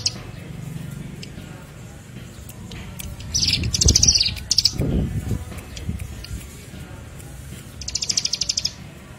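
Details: Lure recording of Bar-winged Prinia (ciblek) song used to attract birds: high, rapid buzzy trills in several bursts, the last near the end, with loud low thuds and rumbling in the background.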